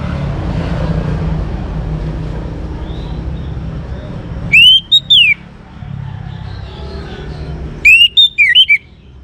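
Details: Young orange-headed thrush from Singaraja, North Bali, singing to prompt other birds to sing: two loud bursts of clear, slurred whistles that rise and fall, separated by about three seconds, over a steady low rumble.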